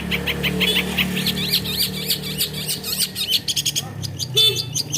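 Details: Singing Long-tailed shrike (Lanius schach), known locally as cendet and said to mimic various other birds, pours out a rapid, continuous stream of high twittering and chattering notes over a steady low hum.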